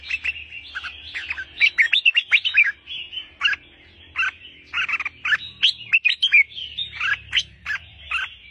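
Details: Albino, hand-held red-whiskered bulbul singing a lively, bubbly stream of short whistled and chattering notes, mostly high-pitched, in quick bursts with brief pauses.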